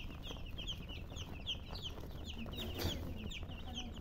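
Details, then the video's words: Busy chorus of chicks giving rapid, high-pitched peeps over a rumbling low background, with a brief scratchy noise near the end. "Baby "Chicks Chirping" Sound"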